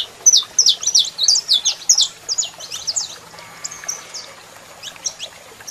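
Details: Saffron finch male singing with calling female: a loud quick flurry of high chips for three seconds, then softer scattered notes and a brief faint lower tone.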